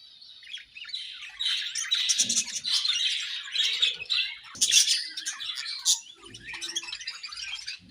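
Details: Breeding-season budgerigars keep up a steady chattering warble, a tangle of high scratchy chirps and clicks rising and falling in loudness for nearly eight seconds, with some soft low knocks in the background.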